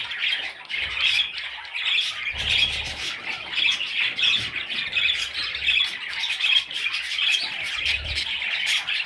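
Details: Massed parrot chicks squawk in overlapping bursts that swell and fade roughly every second or two, high and grating, with occasional low knocks.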